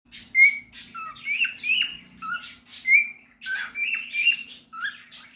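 A cockatiel gives a quick run of bright whistled notes mixed with raspy chirps, with a low hum indoors.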